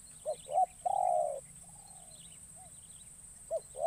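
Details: A spotted dove used as a lure in forest, on its first outing to call in wild doves. Two quick coos lead into a long rolling coo and a fainter echoing note. Two more short coos close the clip, with constant high hiss behind.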